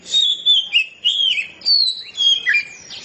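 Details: An Oriental magpie-robin delivers its open ngeplong song as a short sequence of bright whistled notes, each gliding up or down, roughly two per second.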